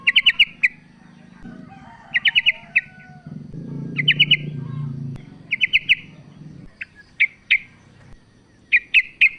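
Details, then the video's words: Female sooty-headed bulbul calls to the male, used as a lure to make bulbuls vocal. Repeated bursts of three or four fast chirps, with scattered single notes later and a low rumbling noise midway. "TRUCUK BETINA memanggil JANTAN"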